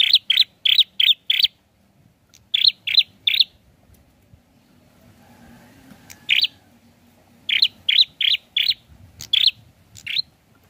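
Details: Prinia singing vigorously in rapid bursts of four to six short, sharp chipping notes, with pauses of a second or two between bursts and a faint low hum beneath.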